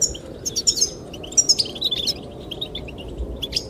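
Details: Goldfinches chirping to attract the female, with clusters of high, clear notes and short twitters that thin into sparse calls, over a continuous windy hiss.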